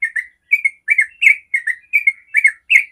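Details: Long 'ropel' song from a yellow-vented bulbul, used to provoke other bulbuls to sing. Paired and grouped chirps repeat in quick succession, each cluster separated by a tiny gap, over a clean background.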